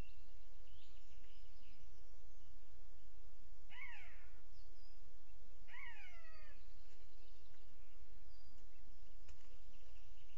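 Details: Booted eagle on a webcam in Sierra de Guadarrama National Park, 12 June 2022 at 07:20: two squealing calls, each sliding sharply downward with rich overtones, about two seconds apart, over steady background hiss.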